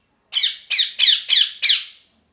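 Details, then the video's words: Parrot giving five loud, harsh, raspy squawks in quick succession, each a broad burst falling away, spaced about a third of a second apart, in a quiet indoor setting. "Parrot Chirping Sounds | Natural Parrot Sounds | Parrot Calling Sounds"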